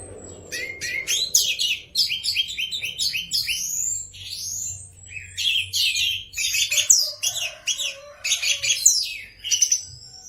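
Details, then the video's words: Orange-headed thrush in full song: fast, dense streams of high rising and falling whistled notes and chirps, continuous and varied, with brief breaks. "Kumpulan kicau anis merah"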